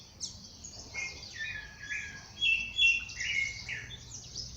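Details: Birdsong at daybreak in the wild: a chirpy run of short whistled notes, some flat and some falling, in uneven bursts over about four seconds, with a constant high shimmering chorus behind.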